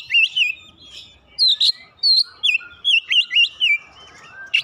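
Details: Oriental magpie-robin, locally kacer, singing to coax a silent bird: sharp upward whistles and downward slurs in quick separate bursts, several similar looping notes repeated in a row, clean quiet background.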